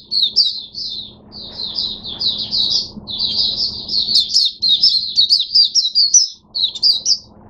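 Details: A caged Oriental white-eye starts singing on 5 May 2022: a fast, high, nearly unbroken twittering of slurred chirps for several seconds, over a faint low indoor hum.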